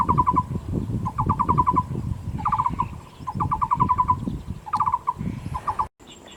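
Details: A wild Taiwan barbet, endemic to Taiwan, gives hollow, low-pitched notes in quick repeated runs of five to eight, like a wooden knocking, over a deep background rumble.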